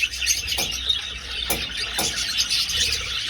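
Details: Aviary budgerigars in flight: overlapping shrill chirps and chattering warbles from a crowd of birds, with a few brief clicks and thuds.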